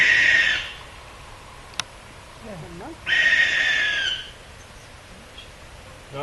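A Barn Owl gives two long, harsh, hissing shrieks about three seconds apart, each lasting around a second; faint voices murmur in between.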